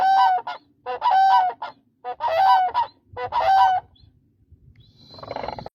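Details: Koonj, or demoiselle crane, repeating four loud, harmonic, honking calls with a wavering pitch roughly once a second, followed by a soft rustling noise at the end.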